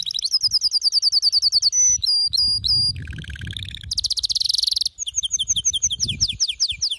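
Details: Canary giving a ferocious, lyrical song: rapid repeated high whistles, sliding notes, a lower buzzy rolling trill, a very fast shimmering high trill, then crisp repeated chirps with some low background noise.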